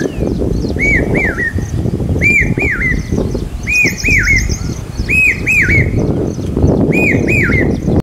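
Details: Loud common hawk-cuckoo calling in the monsoon near Aurangabad, a call believed to signal rain: repeated pairs of ringing whistled notes that dip and recover, in a steady series, with other birds twittering high above and constant low background noise.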